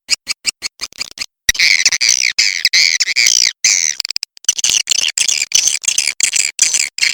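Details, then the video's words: High swiftlet twittering in the Walet Macan Merah style, said to be proven to get a response: a few quick sharp chirps open onto long, buzzy, warbling runs of shrill notes with brief pauses between them. "SUARA WALET MACAN MERAH"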